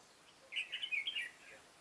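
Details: One quick warbling phrase of five or six linked chirped notes from a caged red-whiskered bulbul used as a decoy to trap wild birds, recorded 9 September 2017.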